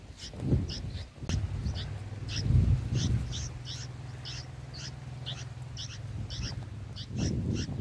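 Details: Bulbul chicks in their nest being fed, reportedly on green lizard eggs: a steady series of short, high, thin cheeps repeating roughly twice a second over a constant low rumble and bursts of handling noise.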